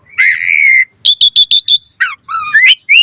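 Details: Asian pied starling holds a long buzzy whistled note, then gives five quick identical sharp chirps and finishes with low and rising whistled phrases.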